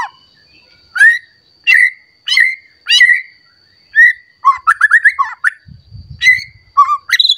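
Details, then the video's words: An agitated white-rumped shama seeks a rival, and its song is meant to provoke other shamas into singing. Loud clear whistled phrases repeat about every second, then break into rapid varied warbling notes, with a brief low rumble midway. "Pancingan Murai Batu Emosi Mencari Lawan Bikin Murai Lain Langsung Emosi Bongkar Isian"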